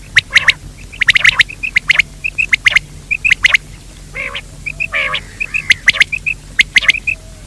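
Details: Quail calling, as used to attract quail during the day: crackling clustered clicks alternating with a steady string of short whistled pips and a few nasal, throaty notes.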